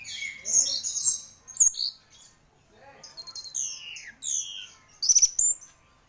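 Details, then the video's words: Orange-headed thrush, a champion singer, pouring out bright whistles and descending slurs, a softer chattering passage, then loud rapid trilled notes and squeaky phrases. "Burung Anis Merah Gacor Juara"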